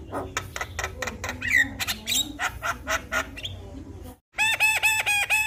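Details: Javan myna with a full song repertoire, played to prompt a silent myna to sing: rapid harsh clicks and squawky notes, a brief gap, then a run of repeated mimicked chirping notes.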